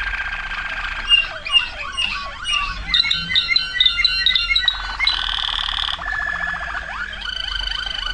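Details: Waterslager canary from 2009 delivering varied song: looping glides, repeated bright notes, a buzzy low trill and a high sustained tone.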